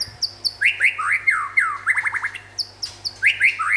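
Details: Local and forest-origin white-rumped shama in lively song: loud, rich downslurred whistles, a quick burst of four rapid falling notes, then further ringing slurred phrases with very high thin overtones.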